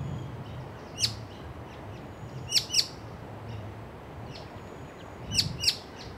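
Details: White-cheeked honeyeater searching for its mate, perching and fluttering about while calling: crisp, high chip notes in pairs, spaced a few seconds apart, with softer distant chips between, presumably the partner off screen, over gentle background noise.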